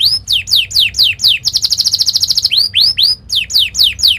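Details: Training song of a canary, fast and sharp, meant to teach young birds to roll. Clear down-swept whistles repeat about twice a second around a dense one-second rattling trill, followed by upslurred and downslurred whistles.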